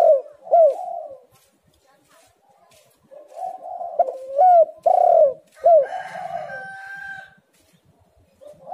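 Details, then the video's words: Spotted dove used as a lure to make other doves call: deep, mellow coos with short rising-falling notes, repeated irregularly about twice a second, with brief pauses and a faint higher whistled sound in the background. "tekukur super gacor"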